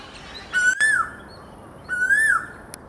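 Asian koel giving two clear, slurred whistles, each rising then dipping slightly, about a second and a half apart, over a quiet background.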